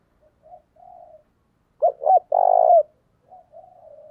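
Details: Spotted dove used as a lure bird, calling to provoke and draw wild males: faint soft coos, then two short loud rising coos followed by a longer, drawn-out coo that falls at the end, then quiet coos again.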